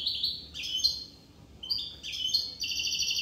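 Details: European goldfinch from Corsica in near-continuous song, a liquid run of high, rapid twittering notes with slurred chirps, almost no gaps between phrases.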